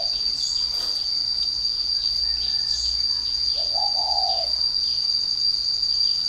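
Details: Spotted dove, a bird said to coo as soon as it is hung up in its cage: a single low, hoarse cooing phrase partway through, under a steady high shrill insect drone and faint chirps.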